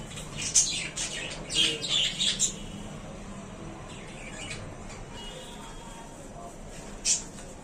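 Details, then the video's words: Budgerigars in a small new cage, said to be happy in their new home, give bright high chirps in a quick cluster early on, then quiet, then one more sharp chirp near the end. "Budgies birds are very happy in their new home"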